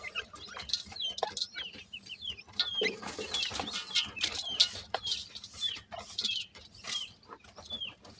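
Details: Grey francolin chicks, dakhni teetar, giving thin high peeps that slide downward, repeated irregularly by several birds at once, over loud crackling and rustling noise bursts.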